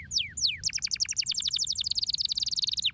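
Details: Canary song played to stimulate other birds: two slow downward sweeps, then a dense, rapid rolling trill of chirps that continues to the end.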